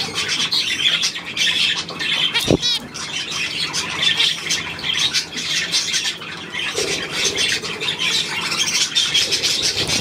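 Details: Budgerigars on 9 February 2024 in constant squawky, high-pitched chatter; a brief sharp knock-like sound cuts in around the middle, then the busy warbling resumes.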